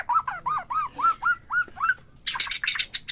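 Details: White-rumped shama recording used to excite a captive bird: seven evenly spaced arched whistles repeated about every quarter second, followed by a harsher, noisy burst of chatter.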